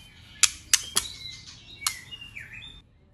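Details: Female white-rumped shama, wild-type voice: three sharp clicks in quick succession, another click, then soft whistles with a dipping, swooping note at the end.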